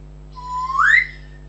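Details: A pet African grey parrot gives a level whistled note that bends sharply upward into a brighter, louder peak before fading, with a faint constant hum underneath.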